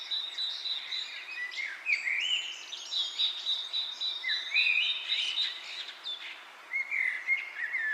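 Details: Bird chirping in wind-stirred leaves: many quick chirps and upward-sliding whistles, with a pulsing high trill and louder bursts of overlapping calls.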